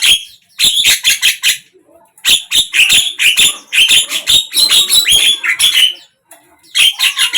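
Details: Javan myna singing, morning to evening: rapid harsh chatter of scratchy broadband notes in clustered bursts, a brief lower whistle between phrases, and a short silence before the raspy notes resume.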